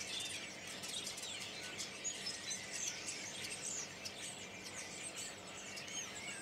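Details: Huge flock of common starlings migrating north from Spain to Berry, March 2012; continuous overlapping high chatter with short whistled notes and clicks, many birds calling at once.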